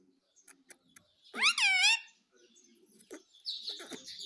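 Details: Pet talking parrot, known locally as tota, said to speak words like mummy and mitthu; one loud, arched, harmonic-rich utterance rising then falling, with faint clicks and soft rustling before and a hissy sound after.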